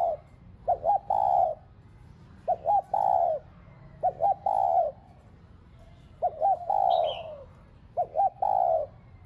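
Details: Spotted dove decoy bird cooing to stimulate caged doves to coo: a repeated phrase of two quick short coos followed by one long, drawn, slightly falling coo, about six phrases, with one brief higher chirp in the middle.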